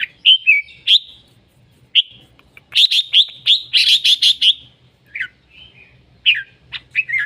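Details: Red-whiskered bulbul calling and singing at length, a quick stream of bright chirps and whistled phrases that peaks in a rapid run of repeated notes around the middle before easing into scattered whistles.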